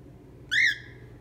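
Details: A hormonal female pet cockatiel indoors, squawking at the snow outside a window in winter, gives one harsh, ringing squawk about a third of a second long, arching slightly upward then falling away, over a faint low room hum.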